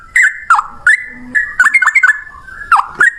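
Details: Yellow-vented bulbul in full rapid song, loud and sustained: scattered sharp whistled notes and quick downward slurs in small bursts, with a brief low hum and faint background rustle.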